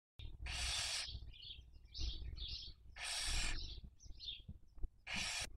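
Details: Barn owls at a webcam nest in Cabañeros National Park, Castilla-La Mancha, Spain, raising young in the 2023 breeding season; three long broadband hissing screeches, about a second each, between short higher chirping notes, over low background rumble.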